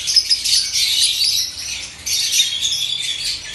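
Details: A breeding pair of Fischer's lovebirds chatter in a steady stream of shrill, high, harsh squeaks and screeches, with a brief lull midway.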